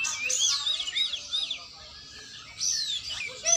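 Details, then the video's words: Oriental magpie-robin song from a training session: bright arched whistles and quick chirps in two bursts separated by a quieter pause, with a low hum in the background. "latihan burung kacer"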